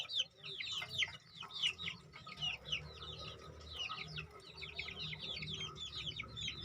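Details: Two-month-old crossbred decoy junglefowl chicks chirping together: a dense stream of high, thin, downward-slurred peeps overlapping several times a second, over a low background hum.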